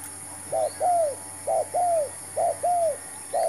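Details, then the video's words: Spotted dove, new decoy bird used in a trapping attempt, giving loud mellow coos in pairs, a quick short note leading into a longer bowed one, about one pair per second, background otherwise quiet. "MEMIKAT TERKUKUR.BAWA BURUNG BARU (BB) DAN CUBA JEBAK BARU"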